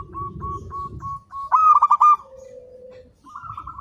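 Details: Local zebra dove in lively song, recorded as a master for training: evenly spaced short coos, then a loud quick burst of rolled notes, a low held tone, and a final rising coo.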